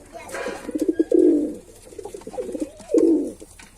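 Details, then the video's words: Male pigeon gives a stuttering run of soft pulses, then a rich swelling coo, pauses, and repeats with a rising note into a second long coo. "Pigeon Sound Effect"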